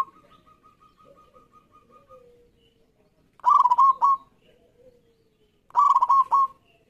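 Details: Zebra dove, local bird in an audition of singing birds: a quiet series of clipped coo notes, then two loud bursts of rolling trilled cooing about two seconds apart, with faint softer cooing between.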